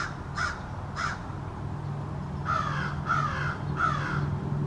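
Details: A small family of American crows in a backyard calls in an extended conversation: three caws, a pause, then three more, over a steady low hum.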